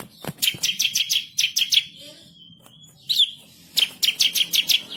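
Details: Excited bar-winged prinia song, rolling and sharp. Quick high chipping runs come at the start and the end, with a short whistled slur and a quiet gap in between.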